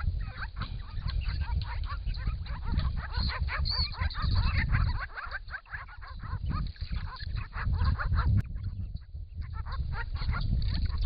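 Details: Camera trap at a pond in regional Victoria, Australia: a group of six wild Grey-crowned Babblers drinking, diving and calling to each other in hot weather; dense, fast run of harsh chattering notes, pausing briefly, over constant low splashing noise.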